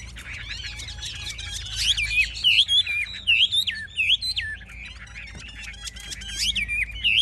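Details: A Chinese hwamei in a cage, wings held high and tail fanned, described as a fierce fighting bird. It delivers rich whistled song: sharp, swooping slurs and bent notes in quick, irregular bursts over light background chatter.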